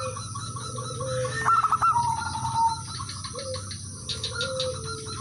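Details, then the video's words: Male zebra dove of local stock calling rivals as a lure: a rapid trilling run of fluted notes, then lower sliding whistled tones, with other doves joining in faintly; constant background hum. "suara perkutut/merbok lokal jantan memanggil lawan jadi pancingan dan pikat semua ikut manggung"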